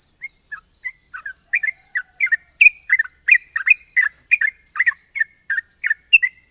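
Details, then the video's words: National champion sooty-headed bulbul singing its long, sharp ropel trill style: bubbly whistled notes, some rising and some falling, repeated in quick uneven bursts that build in loudness, over a steady high-pitched whine. "burung trucukan juara nasional ropel panjang dan tajam"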